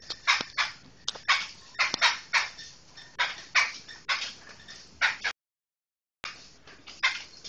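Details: Poksai hitam Medan (black laughingthrush) chattering in a run of loud, raspy, evenly spaced bursts, broken by a brief silent cut near the end.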